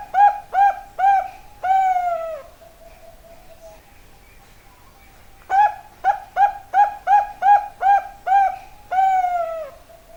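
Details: Zebra dove of the Bangkok type singing: a series of short, clipped cooing notes followed by a longer drawn-out coo trailing into a low hum, then another run of rapid short coos ending in a long coo.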